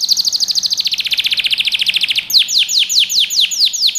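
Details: Canary singing for training young birds: a quick, high rolling trill of about twelve notes a second that switches abruptly to slower, wide, down-swept whistles.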